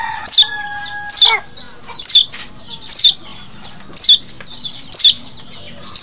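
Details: Lombok white-eye (kecial lombok) mating call, played to lure wild birds in the forest: loud, sharp high chirps sweeping downward, repeated about once a second, with softer twittering notes between and faint steady tones early on.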